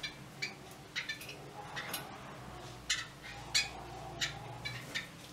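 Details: A yellow-bellied wattle-eye calls with a series of brief, dry chip notes, roughly ninety per minute at an uneven pace, some doubled. A faint constant hum sits underneath.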